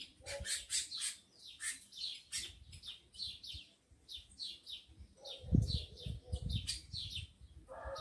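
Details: Captive tico-tico males, worked up with females around; dense volleys of sharp high chirps repeat rapidly, joined by a harsher buzzy call partway through and low rumbling noise.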